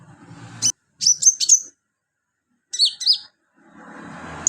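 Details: [['Sunbird filler song for bird training: two clean groups of very high, thin, slurred chirps and a bent squeaky note, separated by silence, with faint low background noise at the edges.']]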